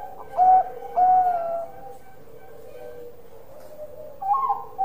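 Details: Zebra dove of the Bangkok type, described as a loud, actively singing bird: two drawn-out mellow coos about half a second apart, a quiet pause, then a final wavering note.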